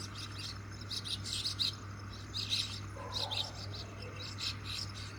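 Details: Common myna flock catching grasshoppers, giving short clusters of sharp, high chirrups roughly every half second to a second, with a low constant hum underneath.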